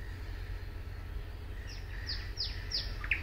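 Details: A thrush nightingale at Suomenoja in 2022 sings a song fragment: four quick, sharply falling whistles about a third of a second apart, then a short upslurred note, over a steady low rumble.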